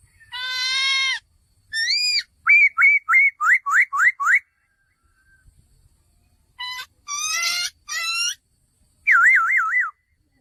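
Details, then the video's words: Male laughingthrush: a long ringing whistle, a fast series of sharp upslurred notes, a pause, then loud ringing notes and a final rapidly warbling trill. "#เสียงนกกระรางตัวผู้ #ສຽງນົກຖົ່ວດຳໂຕຜູ້"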